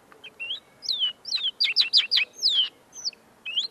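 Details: Caged common linnet, tame and singing right in front of the recorder, its song still being polished: quick twittering of rising and falling whistled notes, a dense burst of short slurred phrases in the middle, brief pauses between.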